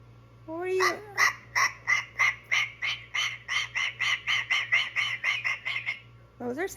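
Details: A pet cockatoo warming up his vocals opens with a rising whistled glide, then gives about sixteen harsh, squawky notes, roughly three a second, and ends on another rising note.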